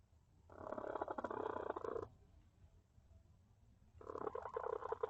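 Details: Chicken hen inside a coop, recorded by a camera in the coop while one hen tries to lay an egg and another fusses at her; two bursts of harsh, raspy, rapidly pulsed squawking separated by a quiet gap.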